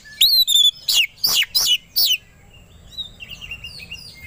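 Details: White-rumped shama provoked into aggressive song: a high downslurred whistle followed by four loud sharp notes, then softer faint warbling trailing off.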